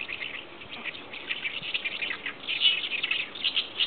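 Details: Oriental reed warbler (Acrocephalus orientalis) song: harsh, grating chatter in quick repeated bursts, sung in chorus with other chirping birds.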